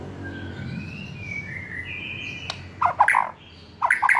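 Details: Young wild-caught White-rumped shama, past its spotted juvenile plumage, recorded to coax birds into singing: faint, drawn-out level whistles at first, then loud clusters of short, clipped, throaty notes in two bursts.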